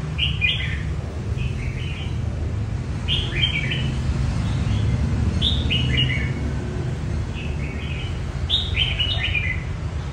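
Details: A red-whiskered bulbul practising its competition song gives repeated lively warbled phrases of two or three quick slurred notes, spaced about every one to two seconds, against a continuous low-pitched background rumble.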